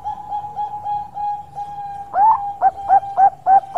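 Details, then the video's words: Long song of an active Bangkok zebra dove: a steady, gently pulsing coo, then a fast, loud sequence of short rising notes repeated about every third of a second. "Suara Panjang Super Perkutut Bangkok Gacor"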